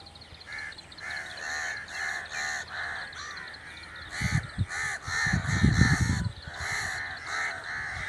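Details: Crow giving a run of harsh, nasal caws at an uneven, rapid pace. The calls grow louder midway, when low booming noise swells underneath, then the cawing carries on to the end.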